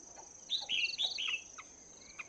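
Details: Chinese hwamei in a cage for two months, morning song practice: a brief cluster of three or four bright slurred whistled notes over a steady high whine.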